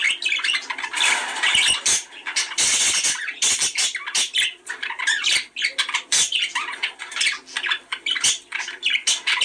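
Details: Budgerigar chatter played to prompt breeding: a long, unbroken stream of warbled twitters, clicks and raspy squawks from more than one bird, with brief louder outbursts throughout.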